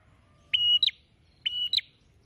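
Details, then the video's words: A singing prenjak, or prinia, opening its beak wide. Two separate phrases, each a sustained flat whistle followed by a sharp rising flick, spaced about a second apart with faint background noise. "PRENJAK GACOR BUKA PARUH LEBAR"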